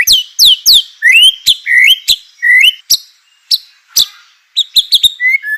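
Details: White-rumped shama, a caged songbird, singing to provoke other shamas into song: loud varied phrases of rising whistles and sharp downward-swept notes, some slurred notes in between, with brief pauses.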